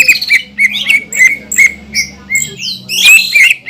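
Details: Green leafbird in full song, meant to rile up rival leafbirds: loud, clear whistled notes repeated about three times a second, mixed with squeaky chirps and a burst of harsh, rising chatter near the end.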